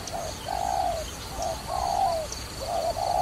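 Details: Dove associated with trapping, cooing in soft low-pitched phrases: short notes followed by longer purring coos, repeated in groups about every second, with a faint high steady hiss in the background.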